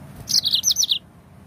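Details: Yellow-fronted canary song, used as a lure to set other birds singing: a quick, loud run of five or six high, sweet warbled notes lasting under a second, over a faint low background hum.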